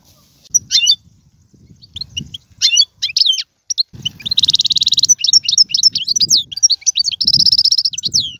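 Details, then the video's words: European goldfinch singing in the tiwawati, galoubi and serfati styles. High, bright twittering phrases alternate with buzzy rattling trills and sharp slurred notes, broken by short pauses. A faint low rumble sits underneath. "مقنين طيواواطي قالوبي و سرفاتي"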